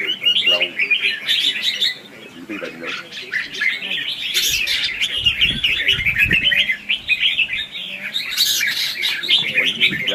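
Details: Red-whiskered bulbul singing in a competitive duel, a lure recording for trapping and for stimulating other birds to sing. Rapid, overlapping whistled chatter runs continuously, with a few sharper high bursts and low thumps beneath.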